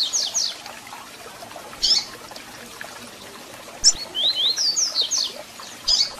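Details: Captive double-collared seedeater singing, used to stir up and warm up another bird: scattered high chip notes followed by a rapid series of bright, slurred whistles that climb and fall, with a quiet hiss behind.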